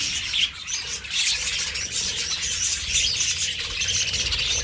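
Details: Flock of budgerigars in an aviary, described as hungry, chattering together in a loud, steady stream of shrill warbles and squawks.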